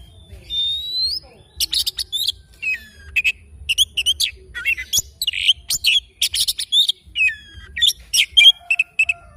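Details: In the morning an oriental magpie-robin sings a long, rich series: a clear upslurred whistle, then dense rapid chattering and whistled notes, some mimic-like, with brief gaps.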